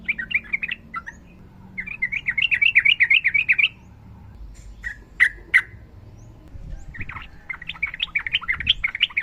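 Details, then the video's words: Yellow-vented bulbul, female calling a male, long ropel gacor singing for training other birds. Rapid warbling chatter bursts repeated about three per second, broken by loud sharp single notes near the middle. "TRUCUKAN GACOR NARUNG ROPEL PANJANG"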